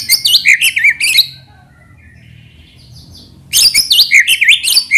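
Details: White-rumped shama lure song in two loud bursts of quick, varied whistled and buzzy notes jumping up and down in pitch, separated by a quiet two-second gap.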